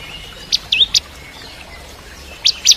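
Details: Bar-winged prinia, locally ciblek kristal, singing as training material for magpie-robins. A few loud sharp chips and a short rising slur, then silence, followed by two more bright notes.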